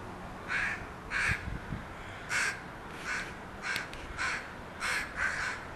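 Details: A landed group of crows calls noisily, with about nine rough caws at uneven spacing from more than one bird.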